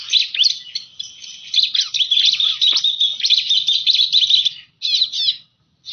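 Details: Bar-winged prinia calls used as bird lure: a fast, shrill series of sharp chirps and trilled notes running for several seconds, then two short bursts separated by silence.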